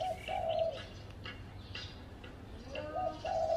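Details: Spotted dove on a tree at home, giving two mellow, husky coo phrases that start and end the short stretch. A quieter gap between them holds faint chirps from other birds.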